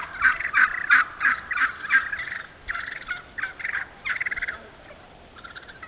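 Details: Wild turkey yelping in an open hardwood-savanna stand in Moore County, North Carolina: a rhythmic run of about seven sharp raspy yelps, then a quicker, softer series of clucking notes that trails off.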